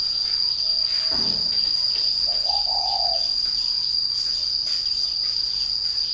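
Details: Caged spotted dove, said to coo readily once hung up: one soft, low cooing phrase of about a second, preceded by a brief thump, with a continuous shrill insect tone and light ticking chirps behind.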